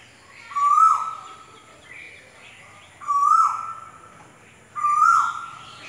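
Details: Kokil, the Asian koel, gives a clear rising whistle that swells and then slides down. Three calls come at even gaps of about two and a half seconds, with little else heard.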